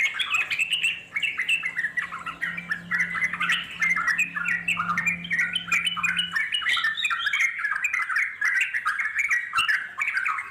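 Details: Long chattering ngeropel song of wild Yellow-vented Bulbul for luring wild birds to answer; rich, fast bubbling notes pour out continuously, a low drone audible for the first several seconds.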